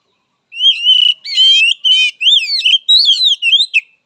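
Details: Oriental magpie-robin answering a rival call: a loud, rich run of varied whistles, buzzy trills and quick up-and-down slurred notes lasting about three seconds, delivered with no pauses.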